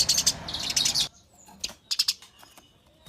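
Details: Eurasian tree sparrows in a fight: a second of loud, dense chirping chatter, then quieter spaced chirps in pairs and triplets, with a thin whistle.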